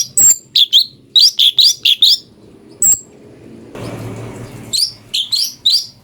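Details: Cucak cungkok song used as a master to train magpie-robins: bright high chirped notes in quick bursts, some sharp whistled upslurs, repeated irregularly, with a brief patch of broad rustling noise midway.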